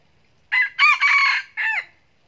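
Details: A red junglefowl, in a junglefowl trapping setting, gives a single crow: brief opening note, a drawn-out raspy middle section, and an abrupt downward-bending ending, with a quiet background.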